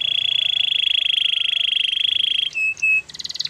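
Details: Canary singing for training: a long, even, rattling trill held for over two seconds, then two short clear whistles and a rapid buzzy burst, with faint low background hiss.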